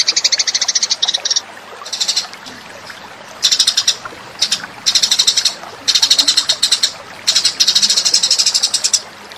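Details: House sparrow lure call in bursts of fast, high chattering chirps lasting about a second each, separated by short quiet gaps, repeated six times.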